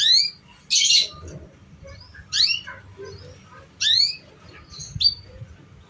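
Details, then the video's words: Canary song used to prompt young birds to learn: loud rising whistled sweeps and a rough buzzy burst, separated by short pauses, with faint low background noise. "Pancingan Suara Kenari Paud"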